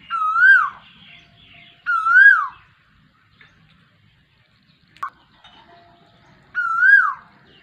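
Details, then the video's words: Asian koel calling during the rainy season: loud rising-and-falling whistled notes repeated about every two to three seconds, three calls with quiet pauses between, faint other bird chatter behind. "koyal ke awaz Barish k mosam min"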